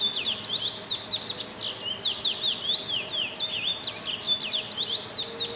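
A chestnut-bellied seed-finch gives a rapid, steady run of high, slurred chirps, about four to five notes a second, over a thin, constant high hiss.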